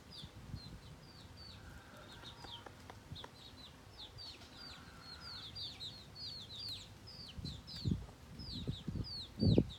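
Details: Domestic chicks feeding alongside their hen, a steady stream of high, downward-sliding peeps from several chicks, with low scratching thumps and knocks growing louder toward the end.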